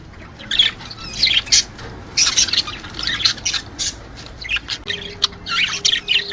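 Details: Budgerigar mating chatter aimed at getting pairs to lay: bursts of buzzy warbling and squeaky chirps from several birds, pausing briefly, with a steady low tone entering in the second half.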